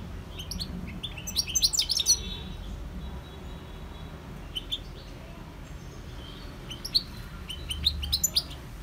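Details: Wild European goldfinch (Carduelis carduelis) singing: two bursts of quick, high twittering chirps and trills, separated by a quieter stretch with a few scattered notes, over a steady low background rumble.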